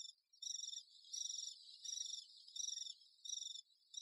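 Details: Great spotted woodpecker busy with its young: five rhythmic high, buzzy rasping bursts, each under half a second, with fainter buzzing between them.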